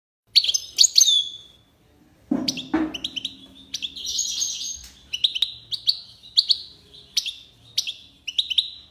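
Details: European goldfinch singing in the tiwawati song style, Algiers, Algeria: bright high twittering notes and short tinkling trills in quick bursts, with a brief low thump near the start.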